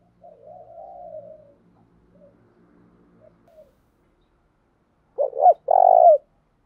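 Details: Spotted dove cooing during daily voice training: soft, wavering low coos, then two short deep notes and a long loud coo in quick succession near the end, with quiet background.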